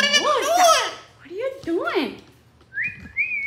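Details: Pet Amazon parrot crying out of jealousy when its owner touches another parrot indoors: wailing, arching, voice-like cries rising and falling, followed by two short flat whistles.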